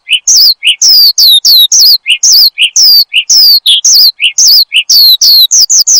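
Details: Song of a branjangan (Horsfield's bushlark), played as lure and master song for cage birds; alternating low chip notes and high downslurred whistles, repeated in a steady pattern about twice a second.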